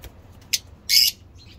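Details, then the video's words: Lovebirds from a breeding line: a brief shrill high chirp, then a longer harsh, hissing squawk a third of a second later, with a faint high chirp trailing after it over a quiet background. "Lovebirds singing lovebird talking"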